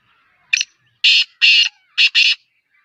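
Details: Black francolin in Sindh, Pakistan, on 4 April 2022: five loud, harsh, rasping bursts in a quick grating phrase, a short one then two longer ones, a pause and a final paired burst, over a quiet background.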